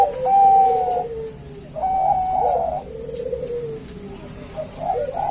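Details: Two male Bangkok-type zebra doves calling back and forth as a lure to prompt singing. Overlapping mellow cooing phrases, some bubbling and some drawn-out, run almost continuously over a faint hiss.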